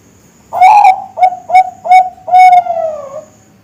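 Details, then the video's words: Bangkok-type zebra dove (perkutut) youngster: a long, slightly rising opening coo, three short bright notes, and a long closing coo that drops away at its end, with quiet surroundings. "Suara Masteran Perkutut Bangkok"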